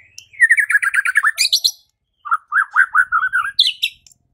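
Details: White-rumped shama song used to provoke a rival into fighting and singing: a fast run of warbled, repeated notes, a brief pause, then a lower series of rolling notes ending in a high sharp burst.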